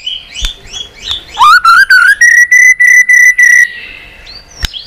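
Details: White-rumped shama in fighting song, used to stimulate birds to sing: soft whistles, then a rising whistled note leading into eight loud, evenly spaced pure whistles, closing with a faint slur and a click.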